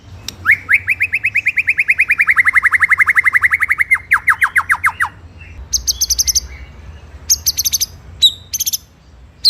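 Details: Master song of a white-rumped shama for bird training: a long, fast series of mid-pitched rolling notes, about four seconds, then scattered high buzzy bursts and sharp calls.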